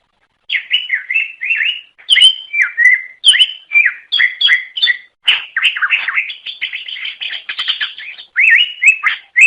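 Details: Greater green leafbird in long continuous song used to attract others of its kind: a fast, varied stream of whistled slurs and sharp high chips with scarcely a pause, melodious and busy throughout.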